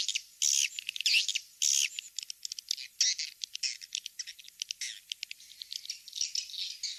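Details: Swiftlets attracted to nest houses with the King's Star call recording: loud, harsh, drawn-out squeaky bursts mixed with rapid, clicking chirps at an uneven rhythm, sounding as a crowded, high-pitched chatter.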